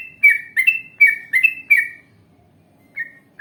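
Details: Yellow-vented bulbul singing a spirited phrase for prompting other bulbuls to respond: five loud, quick, liquid whistled notes in two seconds, then near silence with two faint closing notes.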